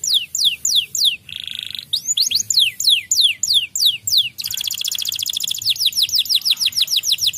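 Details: A white canary, claimed to rile other canaries, alternates tours: rows of downward-sweeping whistles, a brief buzzy trill, more sweeps, then a long rapid trill that slows into falling notes.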